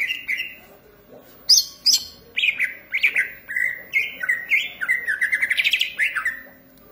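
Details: A Green leafbird sings vigorously in a continuous, varied medley of whistled notes and short slurs that builds into a rapid, dense chatter toward the end.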